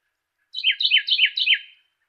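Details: Clear Carolina wren song for training cage birds: four quick repeated two-part phrases, each a high note dropping into a lower whistle, rolling evenly for just over a second in a quiet setting.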